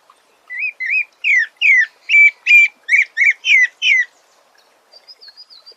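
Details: Thrush, called sabiá, sings a fast series of about ten whistled, slurred notes that vary slightly in shape, followed by a faint, high, twittering trill after a pause.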